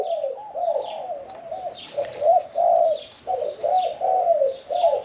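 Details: Spotted doves cooing: a run of soft, rolling, fairly muffled hoots with slight rises and falls, several birds overlapping, from a caged contest-style bird of medium voice.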